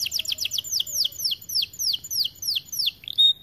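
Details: White-coloured AF canary singing hard: a string of sharp, high, downslurred whistles, quick at first and then spaced about four per second, ending in a short flat note.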